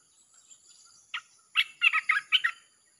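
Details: Red-whiskered bulbul song, played to lure wild birds: a single chirp, then a quick run of five bubbly, warbled notes near the end. Faint steady high tones run throughout.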